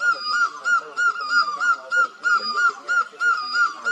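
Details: Great barbet from Asia giving a rapid, very regular series of short clipped notes at one steady mid pitch, about three per second, over faint background.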